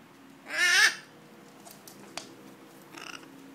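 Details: Chestnut macaw, one of three kept birds, giving a single harsh raspy squawk with a wavering tone, followed by quieter faint calls and a click in a room.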